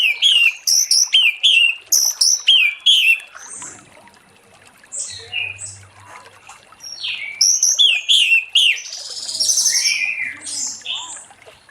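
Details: Orange-headed thrush in ngeplong song on a late afternoon, meant to lure other thrushes into singing: a run of rapid whistled phrases, a quieter pause with softer notes, then the whistled phrases return alongside a rough burst.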